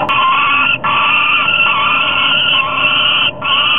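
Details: Nest-camera recording from Topeka, July 15, 2010, late evening. One falcon keeps its mate out of the nest, giving long, loud, grating wails that run almost continuously, broken by two short pauses.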